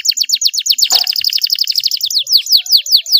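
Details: Canary song used to stimulate quiet canaries to sing: rapid repeated downslurred notes in fast trills, shifting to slower, evenly spaced descending whistles near the end.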